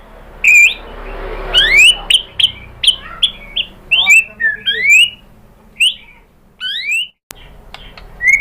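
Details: White-rumped shama lure song to provoke a reply, made of scattered sharp rising whistles and short chips separated by pauses, with faint background noise.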